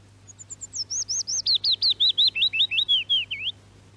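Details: A willow warbler in Norway, from a radio archive recording, sings a sweet, liquid phrase of about fifteen quick notes sliding steadily downward over three seconds, with a faint low hum underneath.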